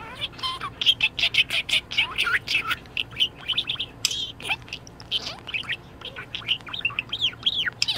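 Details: Cheerful pet budgie chatters rapidly, about three short notes a second, mixing sharp tweets, rising and falling warbles and squeaky trills in a lively, continuous run.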